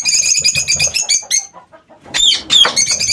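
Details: Lovebirds kept in an aviary give a fast run of shrill, chattering high notes, fall briefly quiet, then burst into two loud, harsh screeches.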